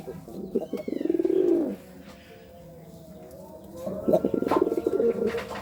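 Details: Courting pigeon cooing: two low, throbbing rolled coos, each about a second long, the second following after a quiet gap, with faint higher chirps of other birds and a steady background hum.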